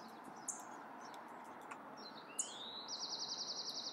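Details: California Towhee in a backyard in the Sierra foothills, California, 10 April: sharp, high metallic chips, then a rising note into a fast, even trill of about nine notes, over steady outdoor hiss.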